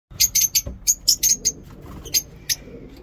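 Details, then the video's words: Lovebirds in a mini zoo in the morning, singing in the ngekek style: shrill, high chirps in short bursts, about ten sharp notes over three seconds with brief gaps, over a low background hum. "Lovebird ngekek lovebird singing in mini zoo"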